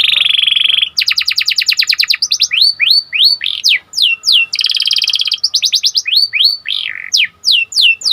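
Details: Lively Panda canary singing to excite other canaries: an opening steady buzzy note, quick dense trills, then loud swooping whistled notes repeated about three per second, alternating with further rapid trills.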